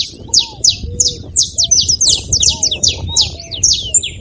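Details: Saffron finch delivering a lively, quickening string of high chirps, some doubled or clustered, over scattered low whistled notes and light background noise.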